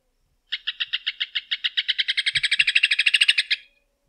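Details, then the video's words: Rufous hornero, known locally as João de Barro or Maria Barreira, giving a three-second run of sharp notes that speeds up and grows louder into a fast ringing trill before stopping abruptly; a faint low thump in between. "Canto do João de Barro / Maria Barreira | Rufous Hornero"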